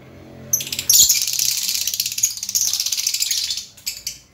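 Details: Lovebird in full chatter: after a single thin note, a nearly three-second run of fast, rasping high twitters pulses steadily before tailing off into a few brief chirps.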